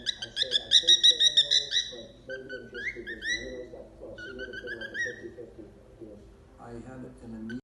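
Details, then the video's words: Baby cockatiel learning to whistle, blending songs it knows but not yet getting them right; a rapid run of clear whistled notes, then rising slurred phrases with pauses, low murmuring voices underneath. "Baby Pecky’s first days of whistling - Cockatiel"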